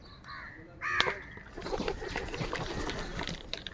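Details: Crows in the morning, many birds together, fighting for food; one harsh, grating caw stands out, followed by a busy jumble of fainter calls and background noise.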